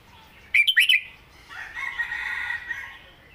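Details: A red-whiskered bulbul sings a brief 'met ka-jik hok' southern phrase of four quick warbled whistles, after which a longer, rough, sustained sound carries on for over a second.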